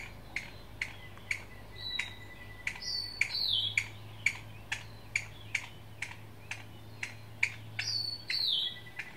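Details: A single Chinese bamboo partridge at Qingjing, Nantou, Taiwan, giving sharp clipped alarm notes about twice a second, with thin high whistles between and a low hum underneath.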